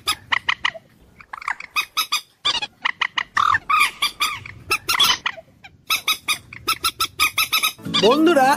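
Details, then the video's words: Common moorhen giving loud, harsh, clucking notes in quick, irregular bursts, ending in a longer, rising, wavering squawk. "ডুংকোর পাখির অরিজিনাল ডাক / ডুংখোর পাখির ডাক / জল মুরগী পাখির ডাক / Common Moorhen bird call"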